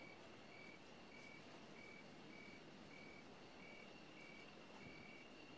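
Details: Steady vehicle rumble with a truck's reversing beeper sounding a high, even tone roughly every half second; no animal voice is heard.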